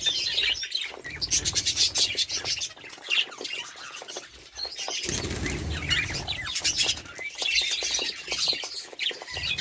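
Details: Budgerigars in a flock give a continuous warbling chatter of rapid high chirps and squeaky notes, with short bursts of wing flutter or rustling in between.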